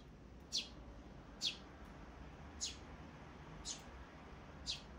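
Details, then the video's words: Sparrow chicks on 23 May 2024 utter five soft, high cheeps spread about a second apart, some notes fainter than others, over a gentle low hum. "チュンチュンかわゆいやつら 雛ちゃん"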